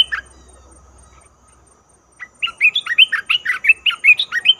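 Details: Red-whiskered bulbul lure recording used for trapping: after a brief note and a short pause, a lively burst of quick, warbling chirps, rising and falling, repeated about two to three times per second, over a faint steady high tone.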